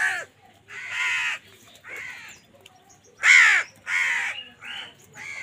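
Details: Loud, rasping caws from crows squabbling over food, a string of separate harsh calls, one especially strong and close in the middle.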